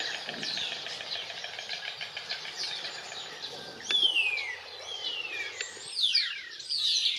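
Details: European bee-eater flock in Extremadura: a busy background of chattering notes, then clear downward-sweeping calls at about four, five and six seconds standing above the rest, with a faint engine-like rumble.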